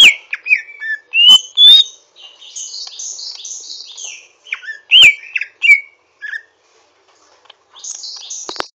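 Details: Greater green leafbird practising its song with rough 'ngriwik' twittering: whistled slurs and sharp chirps mixed with scratchy high chatter, a brief pause, then more chatter at the end.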